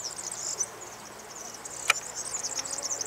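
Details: Continuous high-pitched, fizzing jingle from a European serin, a rapid tinkling stream of tiny notes with one sharp click near the middle.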